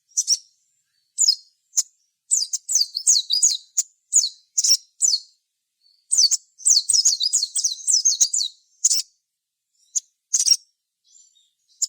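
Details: High sogon song played as a lure for other sogon: bursts of quick, downslurred chirping phrases separated by short pauses, with scattered single chips.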